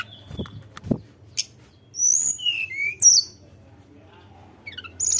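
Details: Sunda robin singing to provoke a rival: a couple of thumps, then high whistled notes falling in pitch, a short pause, and a closing high phrase over a low hum.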